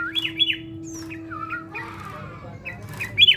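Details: Sooty-headed bulbul in fight training gives quick down-slurred chirps, a softer low whistled phrase, scattered short notes and a final loud chirp, over a steady low tone and hum.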